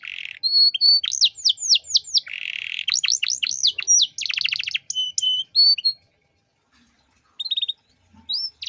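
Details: Canary master song in 'gacor' 'cengkok mewah' style for tutoring other birds: a buzzy trill, rapid looping slurred notes and fine rattles for six seconds, then a pause and brief chips.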